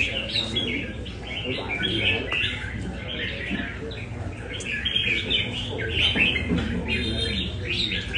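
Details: Singing practice of a red-whiskered bulbul of Nam Đông at a cafe gathering in Da Nang, Vietnam; lively bursts of sweet whistles and chirps, busy with other birds and low room noise.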